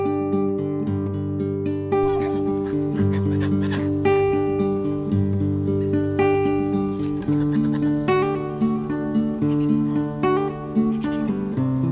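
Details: Plucked acoustic guitar music plays steadily throughout, with no animal voices heard.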